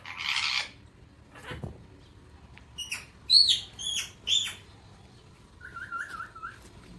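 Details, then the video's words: Alexandrine parakeet, a pet talking bird, in the morning: a rustling burst, then several short bright calls and a soft wavering whistled trill near the end. "talking parrot Mithu enjoying morning time | alexandrine parrot enjoying morning time"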